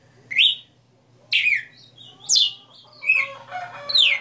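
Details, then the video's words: Caged red-cowled cardinal, a 60-note songster, singing loud whistled phrases that sweep up and down between high and mid pitch, about one per second with short pauses, over a faint low hum. "Galo de Campina 60 NOTAS Cantando Ao vivo"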